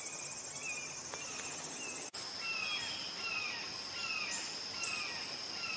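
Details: Red-shouldered hawk calling: after a short gap, a run of loud, slurred, downward-sliding screams repeated about twice a second, over a steady high insect drone.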